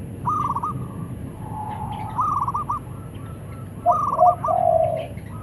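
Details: Zebra doves of the local type trade calls, male answering female: three bursts of quick rolling coos about two seconds apart, each followed by a lower, softer coo in reply.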